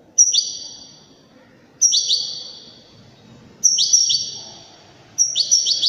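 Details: Goldfinch (European) in the Widani style repeating a brief, bright twittered phrase with a sharp opening note, roughly every two seconds, four times over, with faint low room noise beneath.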